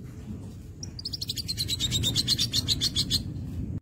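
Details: Crimson sunbird (sogon) in strong song, a rapid trill of high repeated notes, about 222 per minute, rising in loudness after a thin opening whistle, over steady low background hum.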